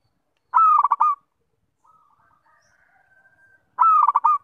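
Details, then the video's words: Two sweet-toned zebra dove (perkutut) song phrases about three seconds apart, each a long coo followed by rapid bubbling rolled notes, with a faint, thin, sustained call from another bird heard in the gap. "Perkutut Suara Merdu bikin terpikt"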